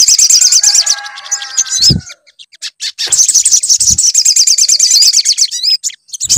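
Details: Sunbird singing, used as a lure to prompt song: long, very high, rapid chattering trills with wavering whistled notes, broken by a short pause and a low thud.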